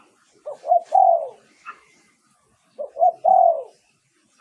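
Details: Decoy song of a spotted dove for attracting wild birds: two clean coo phrases, each with two quick notes leading to a longer descending coo, and a faint higher chirp between the phrases.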